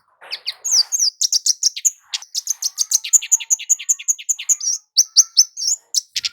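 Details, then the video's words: Lively kemade jawa (flowerpecker) calling as a lure to attract males and females: rapid, almost continuous high chirps and thin ticks in a fast rhythm for several seconds. "Burung kemade jawa gacor PIKAT ampuh buat pancingan cit keres jantan betina agar cepat bunyi ngalas"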